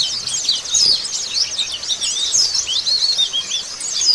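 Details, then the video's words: White-eye singing after its moult: a dense, continuous stream of high, thin, rapidly twittering and tumbling notes that weave up and down without pause across the whole stretch, with no other sounds standing out. "merangsang pleci bunyi setelah mabung"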